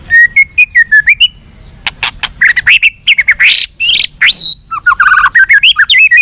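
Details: Captive-training song of a white-rumped shama, meant to boost fighting spirit and responsiveness: bright whistled notes in quick series, sweeping upslurs and downslurs, harsh rasping bursts, and rapid chattering trills, loud and continuous.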